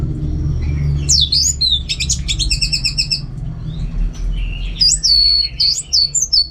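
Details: Orange-headed thrush (anis merah), a caged songbird from Singaraja, North Bali: fast high sweeping whistles and clustered trills, notes tumbling quickly, followed by rising slurred phrases after a brief lull, steady low hum in background.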